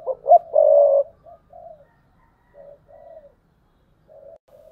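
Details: Decoy spotted dove from 2022, 'thúc bổi' cooing: a loud, sharp double note and a strong throaty coo, followed by several soft, short, low coos spaced apart.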